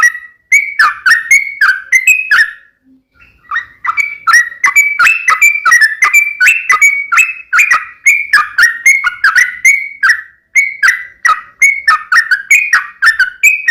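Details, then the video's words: Sooty-headed bulbul delivering a long, lively fighting-style song, a nearly continuous stream of loud whistled notes that bounce up and down in pitch, broken by two brief pauses. "KICAU SUARA trucukan gacor TARUNG UPLIK ROPEL TAJAM AMPUH JADIKAN burung trucuk gacor NYAUT SEKETIKA"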